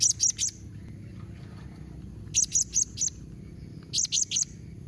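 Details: Blue-crowned hanging parrot calling so that other hanging parrots answer: rapid groups of three or four shrill, high, clipped notes, each group about two seconds apart, with faint low hum underneath.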